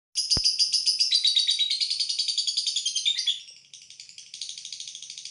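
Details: Lovebird giving a long ngekek trill: a high, buzzy chattering run of rapid pulses, about three to four per second, that dips slightly in pitch, briefly fades, then resumes steadily to the end.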